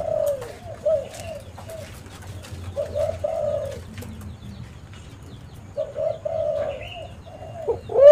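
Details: Spotted dove used as a calling decoy for luring doves: fairly soft, mellow hooting notes in short groups with quiet pauses between, and one louder coo rising at the very end.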